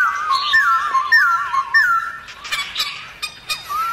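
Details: Black-throated laughingthrush singing its many-voiced forest-style song, used to stir other laughingthrushes into display: clear whistled notes, then a long wavering, quavering whistle repeated in phrases, with short bright accents near the end.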